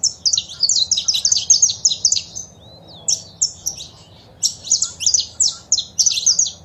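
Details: Male saffron finch singing with female calls, played to spur a pet bird to sing. Two fast, dense runs of loud high chirps separated by a quiet second-long pause, then a third rapid run.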